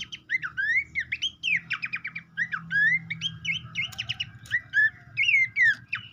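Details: Babbler song played to prompt an untrained captive bird into singing: dense, continuous chatter of upslurred whistles and rapid repeated notes, over a constant low droning hum.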